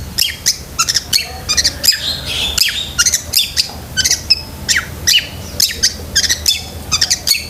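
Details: Long-tailed shrike in full song in the style called isian sekebun, used for training pet shrikes: dense bursts of sharp high chirps and short buzzy notes, tumbling quickly one after another with little pause.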